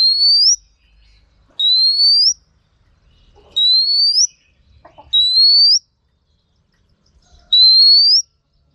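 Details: Five clean upward-sliding whistles from a female Oriental magpie-robin, used to prompt male birds to sing, spaced roughly two seconds apart in an otherwise quiet setting.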